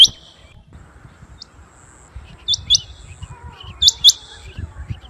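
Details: Rain quail sound used for hunting: sharp, high, clipped notes in quick pairs, the doubles spaced about a second apart, over faint background rumble.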